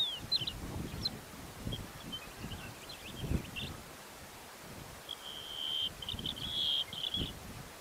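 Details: Ashy-crowned sparrow-lark, a male, in Karnataka, India, gives thin, high chirps early on, then a run of quick twittering notes near the end, with soft wind and rustling underneath.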